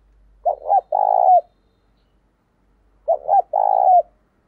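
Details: Spotted dove kept as a decoy, cooing strongly to stimulate wild doves: two identical phrases some two and a half seconds apart, quick clipped notes followed by a drawn-out vibrating coo that slides down at the end.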